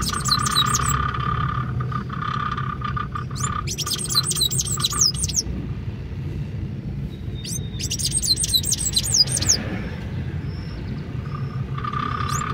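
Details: Call of a Sayaca tanager recorded 25 May 2024: three separate bursts of shrill, squeaky chirps with fast pitch sweeps, spaced a few seconds apart, with a low hum and a steady mid-pitched tone in the background.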